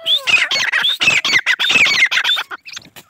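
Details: Grey francolin chicks, a cross of a Deccani female and an Iranian male, kept captive: dense run of loud squeaky chattering notes with sliding whistled tones, closely spaced, fading to softer squeaks.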